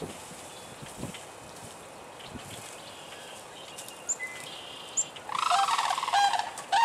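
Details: Sandhill crane in Michigan, spring to early summer. After several seconds of quiet background with faint small-bird chirps, a loud rolling, rattling, harmonic-rich call bursts in during the final second and a half.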